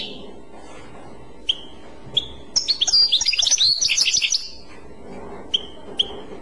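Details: Bell-like Clochette song of a European goldfinch: isolated high chip notes, then nearly two seconds of rapid, liquid twittering and trills, and a return to single spaced chips.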